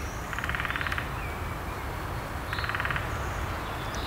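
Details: A woodpecker drums on a tree with its bill in French countryside: two short, fast rolls of rapid taps about two seconds apart, over a low rumble of wind or distant traffic and faint high calls.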